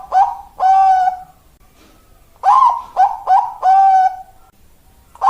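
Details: Zebra dove singing the "malaikat maut" style, a bird deemed suitable for breeding: two resonant phrases, each of quick clipped coos leading into a sustained, level final note, separated by about a second of silence.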